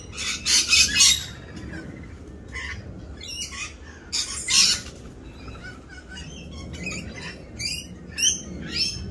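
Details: Rainbow lorikeets in mating season, raucous while dancing: loud screeching bursts early and midway, then a string of shorter, sharp chattering squawks and chirps.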